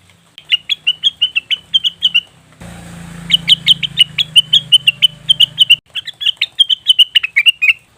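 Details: Lure recording of a leafbird, cucak wilis or rengganis: rapid series of high, clipped chirps in three bursts, broken midway by a stretch of low humming and hissing noise before the chirping resumes.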